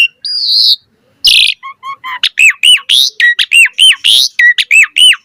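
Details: Asian pied starling opening with a drawn-out whistle and a harsh burst, then a rhythmic series of looping, upswept whistled notes repeated almost once a second, bright and loud.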